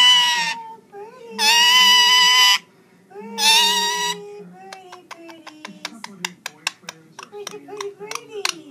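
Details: Indian ringneck parakeet singing: three loud, long, buzzy notes, followed by a rapid run of crisp clicks and ticks while a person murmurs nearby.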